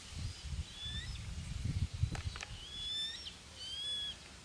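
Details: Eurasian coot in the wetlands of Tablas de Daimiel and Villarrubia, La Mancha, Spain: a few clear, drawn-out whistled notes, each flat then bending, with a low rumbling background noise throughout.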